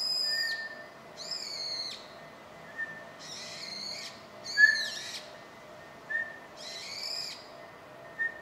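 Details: A brown-eared bulbul, a familiar wild bird in Japan, in January 2024 gives loud, harsh, screechy calls, five in about eight seconds, with faint short whistled notes in between.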